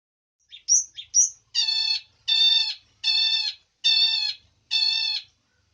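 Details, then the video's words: Long-tailed shrike: a few short squeaky notes, then five loud, buzzy, nasal notes with a rich harmonic texture, each about half a second long and repeated roughly every 0.8 seconds. "cara ampuh bikin cendet gacor"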